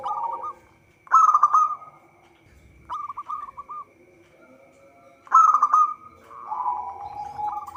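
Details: Local zebra dove in active song, intended as a trapping lure: loud rolling coo bursts alternate with quicker series of clipped, hooked notes, over a constant thin background hum.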